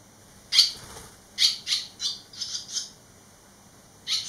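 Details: Barn swallow fledglings, three young birds returned eleven days after leaving the nest, giving short high chirping calls in bursts, about six calls spread over four seconds, quiet background.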